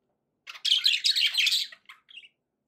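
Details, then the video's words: A single loud run of happy budgerigar warbling, a continuous buzzy, rattling phrase of about a second, followed by two short chirps. "happy budgie sounds"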